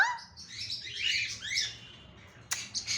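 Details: A ring-necked parakeet talks in a string of bright, sliding, squeaky syllables over the first second and a half, then goes quiet before a sharp click and a few short high chirps.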